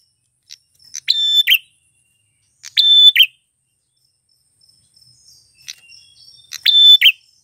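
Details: Male prinia (prenjak tamu klawu) singing to draw in wild females: three whistle-and-buzz phrases spaced widely, with faint chips and high calls between them.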